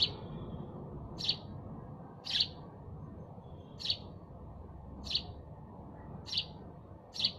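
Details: Sparrows chirping: one sharp, high chirp repeated at a steady pace about every 1.2 seconds, seven chirps in all, over a constant low rumbling background noise.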